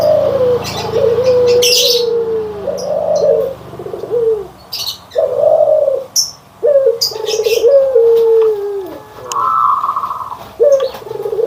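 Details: White and brown Barbary doves compared: a long run of low rolling coos, some short, some drawn out and falling, interrupted repeatedly by sharp high chirps of other birds.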